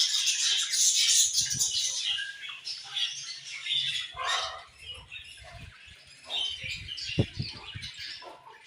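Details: Many budgerigars chattering together, a steady stream of high scratchy chirps and warbles with a few low knocks underneath.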